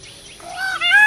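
A peafowl gives a loud, nasal, rising wail that swells in volume as it climbs, cut off after about a second over faint background noise.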